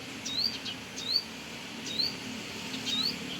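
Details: Brown-throated sunbird calling busily beside its nest in a house area: four high, upslurred chirps about three-quarters of a second apart, with soft low rumble behind.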